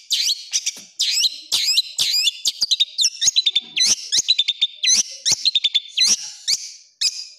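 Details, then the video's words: Long-tailed shrike, a kept songbird, singing training material full of harsh rapid bursts: a dense run of high, hooked, sweeping whistles and sharp chips, with quick repeated notes in short clusters and brief pauses, sharp clicks scattered through it. "MASTERAN CENDET FULL ISIAN TEMBAKAN KASAR"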